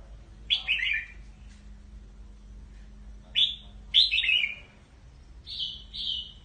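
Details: Red-whiskered bulbul calling its flock with clear whistled phrases, short runs of two or three slurred descending notes and a final paired whistle, separated by pauses, over a faint steady hum.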